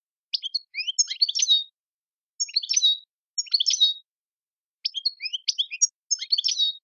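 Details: European goldfinch (Carduelis carduelis) song: four bursts of quick, tinkling, liquid twitters mixed with buzzy notes, high-pitched, with brief pauses between phrases, against a quiet background.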